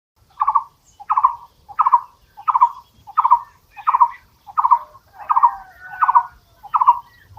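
A barbet repeats a low, hollow, slightly rolling note about every three-quarters of a second, ten times in a steady series, with nothing else heard.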